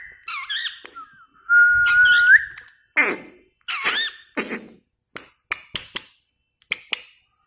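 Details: Talking pet parrot in a small room gives a long, steady whistled note that flicks upward at the end. Wavering squawks and a run of sharp clicks and taps follow.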